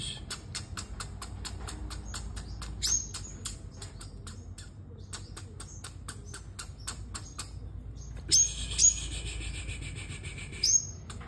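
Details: Sunbird singing competitively: a long stretch of fast, dry ticking clicks, then a few piercing high thin notes with upswept starts near the end.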